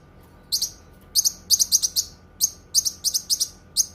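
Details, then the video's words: Cucak kinoi pouring out quick clusters of bright, very high double chirps, several packed closely together in short runs, over a steady quiet hum. "Suara Kicauan Burung Cucak Kinoi"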